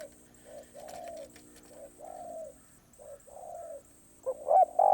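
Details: Spotted dove, song style คารมป่าร้อย, heard softly: faint, slightly descending coos in a loose series, ending with a louder, wavering double note.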